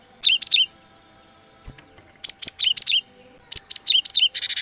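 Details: Cinereous tit used as a lure for trapping wild birds, giving quick bursts of high, sharp chirps, each with a ringing downslurred note, grouped in three short runs with pauses between.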